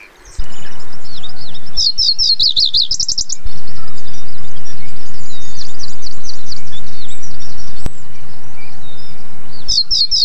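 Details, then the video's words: Common reed bunting (Emberiza schoeniclus) sings a brief, high, stuttering phrase of repeated thin notes that speeds up at the end, then starts the phrase again near the close, over a steady rumble of wind. "O canto da Escrevedeira dos caniços"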